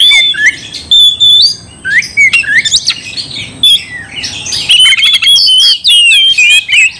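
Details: Oriental magpie-robin in continuous gacor singing, meant to provoke another magpie-robin into anger: loud varied whistled phrases, sliding notes and harsh squawky bursts, with short pauses between rapid runs.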